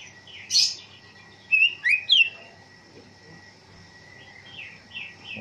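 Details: Greater green leafbird, cucak hijau, trained outdoors in the afternoon for ngentrok song, giving a sharp note, then three loud slurred whistles and a few softer notes trailing off.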